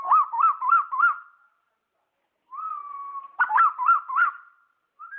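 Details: Asian koel recorded in August 2016: clear whistled rising notes in quick bursts of four, about three per second, separated by a long, level whistled tone, then the rising series starts again.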